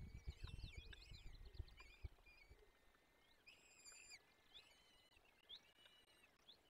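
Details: Peregrine falcon chicks being fed at a forest nest in the Barycz Valley, 17 April 2024: thin, wavering, high begging whines overlap in quick bursts, with low thumping and rustling at the start.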